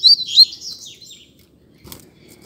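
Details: Double-collared seedeater in a singing contest, giving a brief run of high, whistled, slurred notes that fade out, followed by a soft click.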